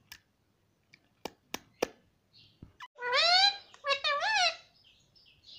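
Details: Pet Indian ringneck parakeet talking and saying "Mummy" and "papa". A few sharp clicks come first, then two loud, wavering, voice-like phrases with strong harmonics, the second broken into short bends, in a quiet indoor room.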